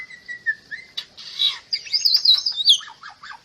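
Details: Bali myna song offered as masteran: a level, thin whistle opens, then a rush of dense, buzzy, high warbled notes, ending in a few downslurred chips over a constant high background hiss.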